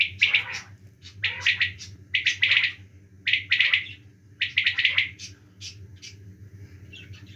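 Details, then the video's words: Winter-season quail calling in rapid, loud clusters of sharp chirped notes. The bursts come in groups of two or three about once a second, fading toward the end over a steady low hum. "quail calling in winter season"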